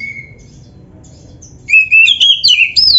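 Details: Caged-bird training recording of white-rumped shama song: one soft high whistle, a pause, then a loud burst of warbling, up-and-down whistled notes in the last second.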